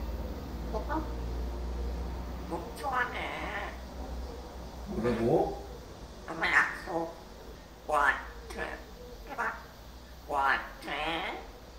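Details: Pet parrot, lately talking more and gaining varied vocabulary, heard after its perch was changed: soft low talk at the start, then speech-like rising and falling harmonic syllables repeated roughly every one to two seconds.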